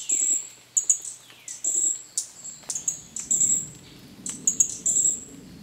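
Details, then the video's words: Green-backed flowerpecker calling: very high, thin, sharp ticking and trilled notes in short bursts, given repeatedly at uneven intervals, some with brief descending sweeps; a soft low background murmur throughout. "Green-backed Flowerpecker 紅胸啄花"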